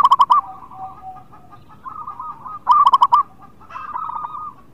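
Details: Actively singing local zebra dove from Indonesia, used to lure hesitant birds into song: two short, loud rippling coo phrases of rapid pulsed notes, between them softer drawn-out coos from other doves.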